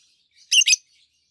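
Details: Captive adult peach-faced lovebirds, two green birds, one red-faced and one whitish-faced, give a quick double chirp, two shrill clipped notes in rapid succession, preceded by a faint twitter.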